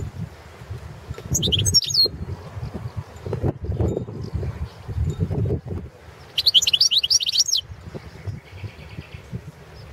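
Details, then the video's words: Competition entry of a Balkan European goldfinch, subspecies balcanica, for an online world goldfinch song championship: two quick phrases of bright, high twittering and slurred chirps, with low thumps and rumbling noise in between. "Pesma štiglića"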